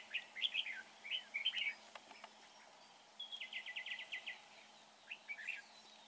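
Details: Red-whiskered bulbul being trapped, said to have a lovely voice: short warbled phrases of bright chirps, then a rapid even trill-like series of clipped notes, and a closing warble, over a low hum.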